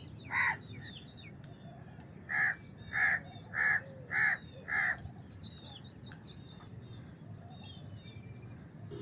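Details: Single harsh caw from a house crow, then after a gap a quick series of five nasal caws; high chirping songbirds continue throughout.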